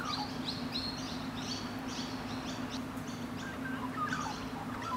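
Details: Rainbow lorikeets in Australia, a bonded pair cuddling and grooming each other; quick, high, scratchy chirps repeat in rapid bursts throughout, with a few lower squeaky notes and a steady low hum behind.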